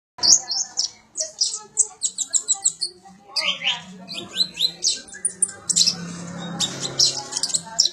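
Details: Sunbird song used as training material for magpie-robins: rapid high thin chirps and twittering trills in quick bursts, with low background murmur and faint voices.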